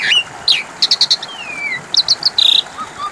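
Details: Lure recording of Asian pied starling song meant to prompt silent birds to reply: sharp clipped notes in quick groups of three or four, a long descending whistle, then high bright chirps.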